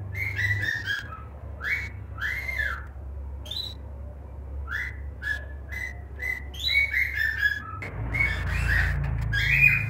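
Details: Cockatiel chicks in the nest in Juazeiro do Norte, Ceará, Brazil: short raspy chirps, some rising and some arched, repeated about twice a second, with low rumbling background noise that grows louder near the end.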